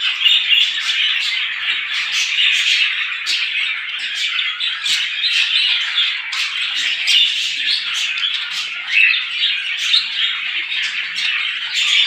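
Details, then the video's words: Small birds twittering at length in the morning, a busy, even chorus of overlapping chirps punctuated by short, sharp high-pitched clicks and squeaks throughout. "صوت العصافير في الصباح"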